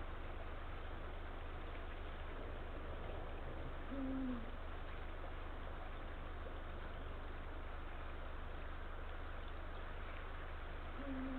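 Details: Male Eurasian eagle-owl calling to his mate at the nest, 16:45 on 17 February 2023: two deep hoots roughly seven seconds apart, each slightly falling, over a low steady hum.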